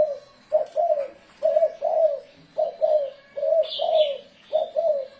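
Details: Spotted dove 'thổ rền' cooing recorded for luring doves: steady paired coos, low and hollow, with a short high twittering from another bird near the end.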